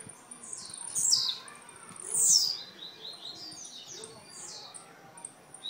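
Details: Blue-black grassquit from Jacarepaguá, Rio de Janeiro, singing two high, buzzy phrases about a second apart, each a bright note sliding sharply downward, over soft background hiss.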